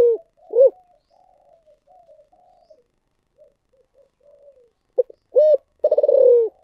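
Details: Spotted dove of the thổ sấm voice type. A loud coo opens, followed by several seconds of faint soft murmuring, then a short note, a strong coo and a pulsed rolling note sliding downward.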